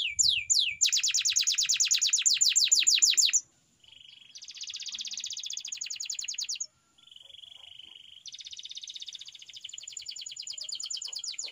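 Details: Canary training song alternating loud rapid rattling trills with a quieter steady flat whistled roll, then further softer dense trills after short gaps.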